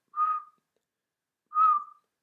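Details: Siberian chiffchaff wintering at Poole Harbour, UK, in January, giving two plaintive, flat, monotone whistled contact calls about a second and a half apart, with no upward inflection, unlike common chiffchaff's ascending call; quiet background.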